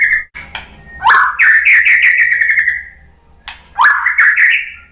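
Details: White-rumped shama provocation song to set other shamas singing: a fast upslurred whistle leads into a long, rapidly pulsed, gently falling trill. A pause follows, then the same rising phrase starts again.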